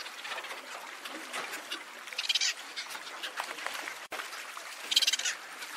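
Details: Cape petrel calling and singing over a constant chattering background. Two louder harsh bursts of chirring stand out, about two and a half seconds apart, each lasting under half a second.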